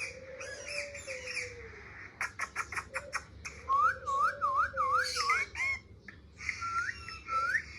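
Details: Pet parrot playing with a mobile phone indoors gives a series of rapid clicks, then a run of wavy looping whistles repeated about five times, followed by longer level whistles.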